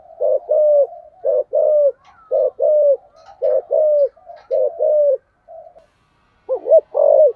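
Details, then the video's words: Decoy spotted dove in 'thúc gù' style, 'giọng sấm thổ' voice: runs of low paired coos, short then longer and falling, about one pair per second, ending with a pause, a soft note and a wavering double coo. "cu gáy giọng thổ/ cu gáy thúc gù giọng sấm thổ"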